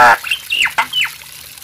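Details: Nias hill myna giving a harsh opening squawk, then three quick, sharply falling squeaky notes with a brief click between them.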